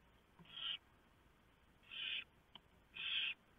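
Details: Barn owls at their nest before dawn, November 3, 2015, the male having delivered a huge mouse for the female to shred for the owlets. Three quiet, drawn-out hissing rasps, spaced about a second apart.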